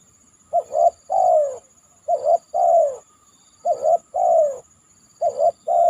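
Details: Spotted dove calling after heavy rain on a banana stem: repeated phrases, each a quick double coo followed by a longer falling coo, four phrases spaced about one and a half seconds apart, over a steady high-pitched whine.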